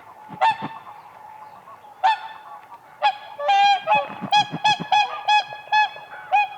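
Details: Whooper swans calling on ice at a spring lake while dancing; a few spaced trumpeting honks build into a rapid run of loud bugling notes, many birds calling together.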